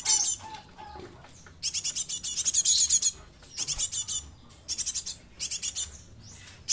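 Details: Young Java sparrow used as a lure, chipping in repeated bursts of four to ten shrill, very high notes. The bursts come roughly every second, with short quiet gaps between them.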